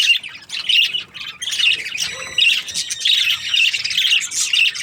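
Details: A breeding pair of happy budgies chatters almost without pause, giving harsh, high chirps and warbles in quick irregular bursts that overlap and vary in loudness.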